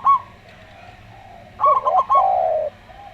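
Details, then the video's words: Slow-style song of a local zebra dove: a single high note, then a quick staccato run of clipped coos, answered at once by a longer, lower, smooth coo from a calm-voiced Javan derkuku dove. "Perkutut Lokal Suara Slow"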